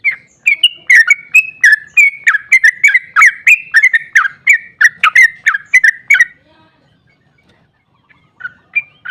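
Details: Sooty-headed bulbul (trucukan) singing a long, energetic ropel song meant to provoke other bulbuls into answering: fast run of bright, rich whistled notes rising and falling, about three per second for six seconds, then near silence with a few soft notes.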